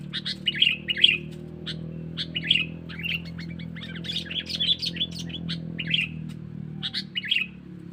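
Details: Sooty-headed bulbul giving a 'pikat cengkeram' lure call for wild bulbuls: sharp, clipped chirps and short chattering notes repeated irregularly over a steady low humming background.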